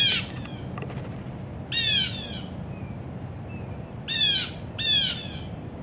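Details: Blue Jay at a morning feeding frenzy gives three loud, harsh, down-slurred screams like a Red-shouldered Hawk's, thought to be imitating a hawk, with a low background rumble.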